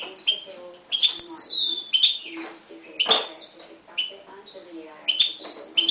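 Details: Hybrid Himalayan goldfinch × canary from 2011, with a Timbrado canary also present. High whistles glide downward, mixed with sharp chips and a noisy burst mid-phrase. Low steady tones sit underneath.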